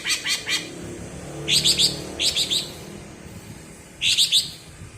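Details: Cucak ijo from Alas Purwo, Banyuwangi, in bebeci song, sought after by songbird keepers: bursts of three or four crisp, high chirps separated by short silences.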